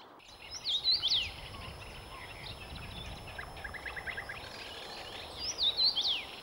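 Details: Common Rosefinch in Sweden, adult or young bird singing, gives two short, clear, slurred whistled phrases about five seconds apart, with softer twittering from other birds between them and a steady background hiss.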